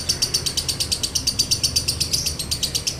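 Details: Dry-toned 'konslet' song of a lovebird, a lure recording for other lovebirds: rapid, evenly repeated rasping high chirps at roughly three per second, continuous from start to end.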